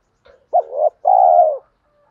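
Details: A spotted dove gives a lure coo to draw wild doves into calling back. A faint soft note comes first, then a brief rising note and a long, level, husky coo.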